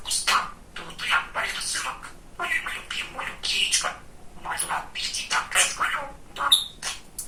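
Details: Indoors, a very talkative male pet budgerigar pours out a continuous stream of rapid, scratchy, high chatter, with mimicked speech syllables packed closely together and barely any pauses.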